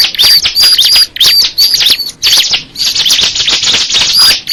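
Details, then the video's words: Loud, near song of a crystal ciblek bird: tight clusters of piercing high chirps and hooked whistles, delivered in long dense runs with a couple of brief dips. "the sound of the crystal ciblek bird"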